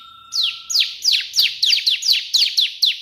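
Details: Bar-winged prinia (ciblek) singing eagerly in the tembakan perenjak putih burst style: rapid, sharp, high notes sweeping steeply downward, about ten in three seconds, in a dense unbroken stream, opening over a faint steady hum.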